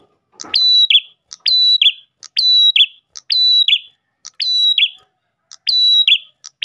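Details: Ash tailorbird singing as a lure for other tailorbirds: a repeated phrase of a sharp high note, a long steady whistle and a buzzy falling ending, given about once a second, with no other sounds.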